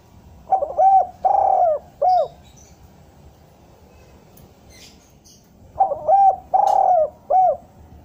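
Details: Spotted dove cooing, used to lure wild doves down: a phrase of short and long soft coos, a pause of about three seconds, then the same phrase repeated.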